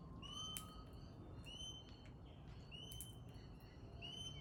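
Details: Pale-headed rosella giving a series of sustained, high, ringing whistles at roughly one-second intervals. The clip opens with a lower whistle that holds steady, and a few short clicks and taps break in, over a steady low rumble.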